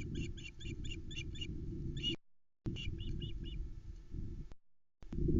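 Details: Osprey alarm calls from a Loch Arkaig nest camera, 12 July 2020, as the bird reacts to an intruder: short strings of thin high whistles over a heavy low rumble of wind or microphone noise.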